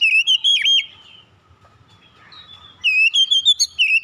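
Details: Oriental magpie-robin giving rolling song: a burst of clear whistled, wavering notes, a quiet gap of about two seconds, then another quick series of short whistled slurs.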